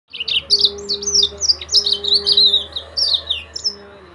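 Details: Yellow-fronted canary, locally called Sudan or Mozambique finch, singing a fast run of high, sweet chirps and slurred whistles in quick bursts, with a faint steady low hum underneath.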